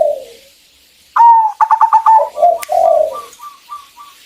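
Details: Zebra dove female, a local bird, calling a male as a singing lure. After a low purr comes one phrase: a rising whistle-like coo, five quick stuttered notes, low rolling coos, then fading soft ku notes.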